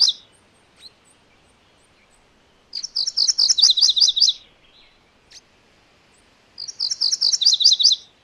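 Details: MacGillivray's warbler singing two separate phrases a few seconds apart. Each is about a second and a half of rapid, paired high notes, rolling and even, with a few soft chips between them.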